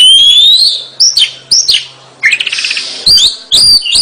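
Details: Vigorous gacor song of an Oriental magpie-robin, known locally as kacer: a clear rising whistle, quick downslurred notes, a rapid buzzy trill, then sharp upswept whistles repeated about twice a second.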